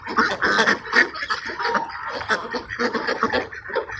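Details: Several ducks being fed at Sunset Park at sunset on 10-10-17, quacking steadily: short, rasping, nasal quacks repeated several times a second in overlapping bursts, with a few louder peaks and no other clear sounds.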